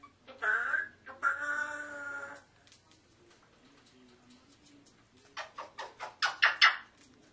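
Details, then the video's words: Indoor pet African grey parrot talking: two harmonic, voice-like utterances, the second drawn out, a quiet gap, then a rapid run of clicks and short, sharp chattering notes that grow louder. "the African Grey Parrot Talking"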